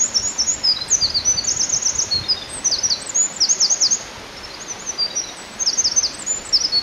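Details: A Eurasian wren on a forest road along a stream sings loudly and energetically, very high rapid trills and sharp notes in quick bursts, with a steady rush of running water behind.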